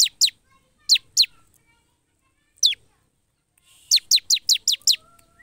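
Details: Ciblek, the bar-winged prinia, singing gacor style: scattered pairs of sharp, high, descending notes, then a rapid burst of six similar notes near the end, against a quiet background.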